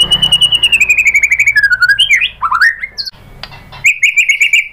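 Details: White-rumped shama song used to provoke a rival into answering: a long descending pulsed trill, then varied sliding whistles and sharp notes, a pause, and a steady rapid trill again.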